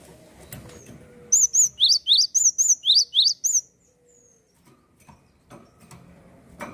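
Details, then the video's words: A Java sparrow sings to encourage other birds: a burst of about nine high bright notes, arched whistles alternating with upswept chips, roughly four per second, then quiet with faint clicks and rustling. "gelatik gacor cocok penyemangat burung bahan & macet bunyi"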